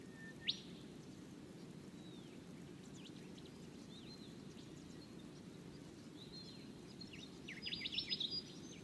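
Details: A red-capped robin, a spring and summer visitor to ponds in woodland, gives a sharp rising note, then a quick dry burst of high ticking notes near the end. Faint chirps and a steady low rumble sit behind.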